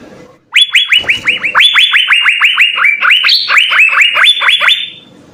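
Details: Vigorous Asian fairy-bluebird song with full fill-in, for training other birds: a four-second string of loud, bright upswept whistles, several higher notes in the middle, beginning and ending with soft murmur.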